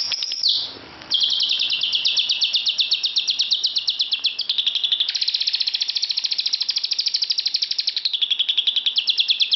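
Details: Lovebird chattering inside a bedroom: a brief harsh note, then a long, dense run of rapid high chirps with slight shifts in pitch and texture, continuing to the end.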